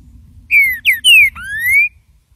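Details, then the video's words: Training recording of the estalando song of a green-winged saltator: a bright whistled phrase of three downward-slurred notes followed by a long rising whistle, with light low-pitched background noise. "ESTALANDO canto feito para treinamento de trinca ferro"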